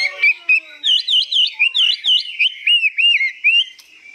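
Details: Tame, 85% hand-tamed Hwamei, newly acquired, singing high with long phrases: loud rolling whistled notes sliding up and down, a fast run of looped slurred phrases repeated about every quarter second, then lower wavering whistles.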